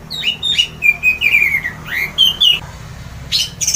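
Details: Orange-headed thrush (anis merah) singing loudly in the ngeplong style, said to set other birds singing; a run of rich whistled and slurred phrases, some falling, some rising, with a few sharp high notes near the end over a low background hum.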